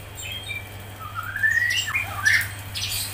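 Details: Grey-cheeked bulbul used as a tutor recording for songbirds: scratchy slurred notes glide upward, followed by quick squeaky downward sweeps. A constant low hum sits underneath.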